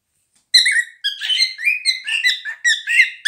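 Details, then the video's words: Two cockatiels sing a fast run of bright, warbling whistles and chirps, rising and falling in quick bursts, with several notes overlapping; nothing else is heard. "Nymphensittiche singen"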